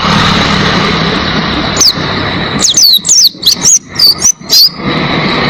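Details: Oriental white-eye song used to tutor cage birds: a few high, sharp, descending whistled notes in a short burst over constant hissing background noise.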